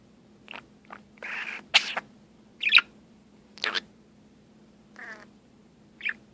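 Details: A pet budgerigar imitating a Star Trek communicator chirp gives a string of short chirps, buzzy squawks and electronic-sounding bleeps.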